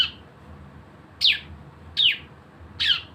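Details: Javan white-eye 'nembak bren' lure recording for making birds sing: three isolated, loud, high, downslurred chirps spaced under a second apart, with quiet background between them.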